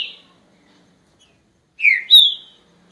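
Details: A short phrase from a green-winged saltator: one falling whistle followed by a sharper note that jumps up and trails off level. Otherwise quiet.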